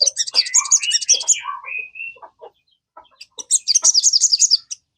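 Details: Sogon song used as a lure to set a kept sogon singing: high, rapid chattering trills, then lower slurred whistles and scattered notes, ending in another fast high trill.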